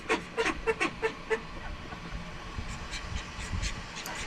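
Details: A call duck in a homestead duck pen, let out to swim in its pool, gives a run of five loud, nasal quacks about every third of a second, then goes quiet; faint background noise and softer sounds follow.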